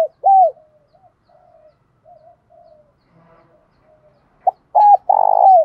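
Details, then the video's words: Spotted dove calling in the giọng đồng pha thúc bổi style: a single arched coo, then several seconds of faint soft coos and murmurs. The phrase starts again with a short note, a clear coo and a long buzzy coo. "tieng chim cu gáy giọng đồng pha thúc bổi"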